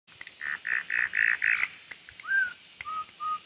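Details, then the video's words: Campo troupial singing while learning the first notes of the national anthem: a quick run of five buzzy, rich notes, then a few clear whistled notes, one slurred upward and two held steady, with gaps between. "CORRUPIÃO CANTANDO SHOWW (aprendendo o hino nacional)"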